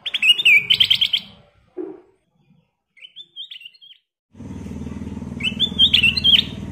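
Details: Ruby-throated bulbul singing energetically: bright whistled notes that rise and fall, then rapid buzzy trills around three notes a second in short bursts, with a steady low engine-like drone under the last part.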